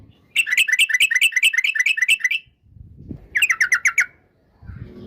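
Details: Song of a yellow-vented bulbul, meant to stir up an opponent: a rapid, rhythmic burst of rolling, warbled notes lasting about two seconds, a pause with faint low rumble, then a shorter matching burst.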